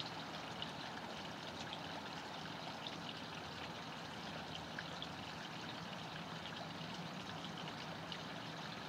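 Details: A steady, even rush of running water-like noise fills the recording, with no clear animal calls.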